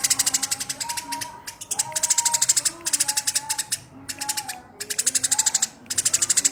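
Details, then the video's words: Tame Eurasian tree sparrow delivering coarse, machine-gun-like chatter for songbird training: dense rattling bursts that almost join, with brief breaks, while soft sliding whistles sound in the background. "Burung Gereja Gacor Jinak Tembakan Kasar"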